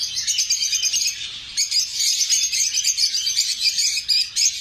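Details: High, harsh chirps from lovebirds come in bursts with short gaps between them, giving a lively, squeaky flock chatter.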